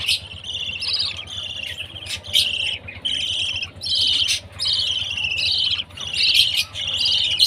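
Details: Budgie chick at food time: a run of harsh, buzzy chirps with some twittering, uneven bursts about once a second, and a steady low hum behind.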